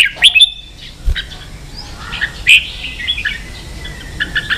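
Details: Caged red-whiskered bulbul in Vietnam, roused to compete with a rival. A few sharp chirped notes stand apart, with a thin, level whistle and scattered soft tweets between them, over quiet background noise.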